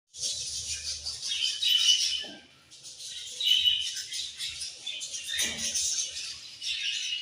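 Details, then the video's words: Several budgerigars chirping in a group, dense high buzzy warbles and squeaks overlapping in bursts, with a short pause near the middle and faint low thumps. "Beautiful Budgies Chirping Sounds"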